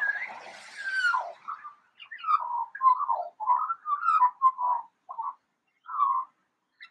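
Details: Eurasian magpie mimicking a siren, opening with a harsh, gliding descending note, then a series of short wavering whistled phrases separated by brief gaps, ending with isolated single notes.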